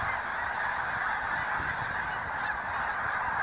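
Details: Thousands of wintering Snow Geese, Green Lane Park, Montgomery County, Pennsylvania, February 23, 2019, produce a thick, even blanket of nasal honks, all voices overlapping at constant volume.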